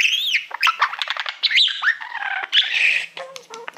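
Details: Caged pet budgerigar, a male fond of mirrors, singing at a reflective plaque; squawky chatter mixed with clicks, buzzes and looping whistled notes, a louder harsh burst midway.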